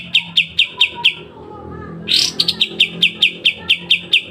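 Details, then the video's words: Sharp besetan masteran of the kapas tembak, or pied triller: five high chips, a short hush, then a loud harsh burst followed by a quicker stream of evenly repeated piercing notes. "Masteran full kapas tembak dengan besetan tajam"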